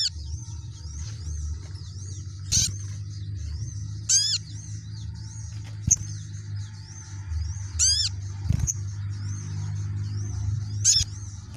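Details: Sunbird singing a run of high, thin rising-and-falling whistles repeated in a steady series, with occasional fast downward trills, against a continuous low rumbling hum.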